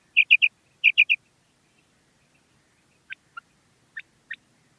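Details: Female common quail calling: two bursts of three quick, bright, clipped notes near the start, then scattered faint, thin, sharp notes from another source later, over a silent background.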